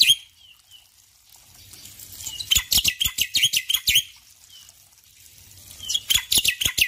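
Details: Male black-winged myna singing vigorously in the morning: short whistled notes, then a long, rapid sequence of harsh, scratchy chattering, a pause with a soft whistle, and another chattering burst at the end.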